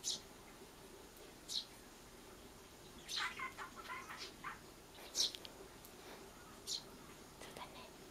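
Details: Begging tree sparrow nestling asks for food: sharp high squeaks at irregular intervals, with a burst of lower, chattering notes in the middle, likely the household budgie, over faint room noise.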